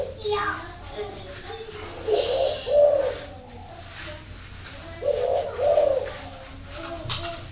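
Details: Spotted dove kept at a bird farm in Ba Vì, Hanoi, northern Vietnam, giving low, soft coos in two short phrases about three seconds apart, each with a few rounded notes, over faint room noise.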